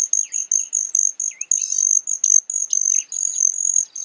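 Broad-tailed hummingbird: a very high, thin, metallic buzzing trill in quick bursts, several each second, with a few softer lower chips mixed in.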